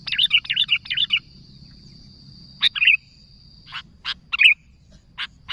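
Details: Sooty-headed bulbul calling to its companions: a quick run of bubbly chattering notes, then separate sharp chirps and short fluty phrases spaced about a second apart. A faint steady high whine persists underneath.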